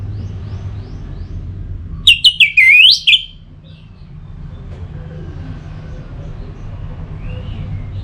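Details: Orange-headed thrush used to get birds singing: one short, loud phrase of rapid whistles ending in a rising, looping slur, lasting about a second within low steady background noise.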